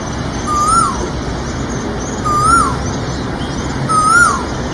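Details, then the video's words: An Asian koel gives three clear, rising whistled notes, one every second and a half or so, with faint high chirps of other birds behind. "Asian Koel | Natural Sound Effects"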